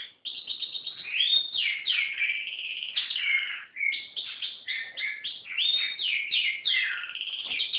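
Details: Canary singing a continuous, lively song of rapid trills, rolling phrases and bright whistled notes, bursts separated by brief pauses near one, three and five seconds, with no other sounds.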